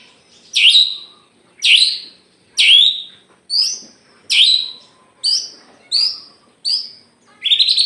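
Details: White-rumped shama of the Aceh type singing tirelessly, tail spread. Nine loud phrases come roughly once a second, each a sharp, high downward-swept whistle settling into a rich note, and the last is a rapid rattling burst.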